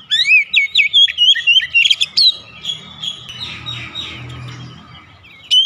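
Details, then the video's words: Oriental magpie-robin singing in the morning, a run of loud, varied whistled and chirping phrases in quick succession that fade into softer warbling, with a low rumbling background and a sharp note at the end. "OCEHAN KACER DI PAGI HARI"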